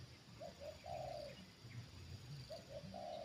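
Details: Spotted dove coos, recorded while a trained bird reacts to a wild bird lured down for the second time: two phrases of two short notes and a long even coo, over low rumbling background noise.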